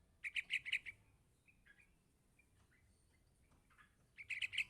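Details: Yellow-vented bulbul chick calling for its parent, giving a quick burst of four harsh chirps, a pause with faint softer notes, then another rapid burst of sharp chirps at the close.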